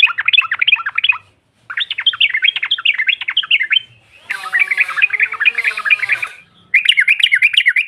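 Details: Female sooty-headed bulbul calling to provoke rival birds: rapid chattering bursts of sharp notes, broken by short pauses, with one harsher, buzzier stretch near the middle before the quick chatter resumes.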